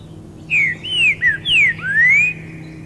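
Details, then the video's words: A green-winged saltator (trinca-ferro boiadeiro) sings loudly in dense forest, a phrase of five clear whistled notes slurred down and then rising at the end, over a faint low background hum. "Trinca Ferro cantando alto"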